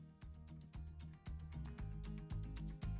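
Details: Rhythmic instrumental music with a steady bass beat and percussive hits; no animal sounds are heard.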